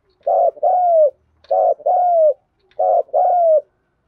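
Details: Thúc gù cooing of a spotted dove: three evenly spaced low phrases, each a quick pulsing note, then a drawn-out coo that slides gently downward, with a faint click in one pause.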